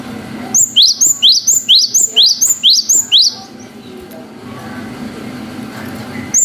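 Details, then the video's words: Cinereous tit's long wucit song, an effective lure to raise emotion in young birds: around nine clear, rising whistled notes delivered rapidly and evenly, followed by quiet background. "GELATIK BATU GACOR WUCIT PANJANG"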